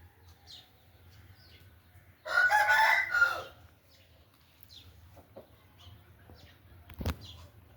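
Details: Aseel chicken crowing once, a single harsh drawn-out crow lasting about a second, then quiet with faint background rumble and a sharp knock near the end.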